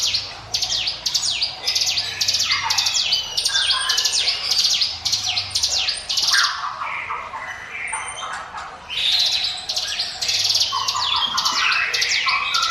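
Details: Prinia called ciblek gunung giving "ngiwit wit" song for luring birds: a long run of fast, high, downward-swept notes with lower whistled slurs, a brief lull near the middle, then renewed busy singing.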